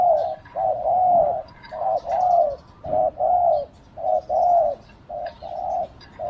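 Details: Spotted dove used as a decoy to lure wild doves, giving a steady run of mellow, mid-pitched coos, slightly falling notes in twos and threes, with short gaps, repeated almost continuously.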